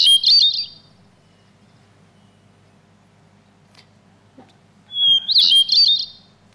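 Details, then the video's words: Hermit thrush, a North American bird, sings two high, flutelike phrases, each a clear opening note and a shimmering cascade. About four seconds of quiet separates them, short songs alternating with longer silences and higher or lower starting pitches. "here is the song of one of my favorite North American birds the hermit thrush which uses patterns on many levels"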